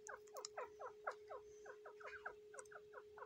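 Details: Incubating female grey francolin, tenth day on eggs in the breeding season, calls in quick descending chirps, about two per second, with a few higher squeaks and a steady mechanical hum.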